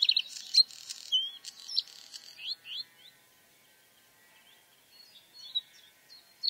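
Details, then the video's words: Bluethroat song: a burst of varied high twittering and sharp, clicking notes, then a few slurred, rising whistles, a pause of near silence, and a brief return of thin, high notes at the end. "Bluethroat (Luscinia svecica) song"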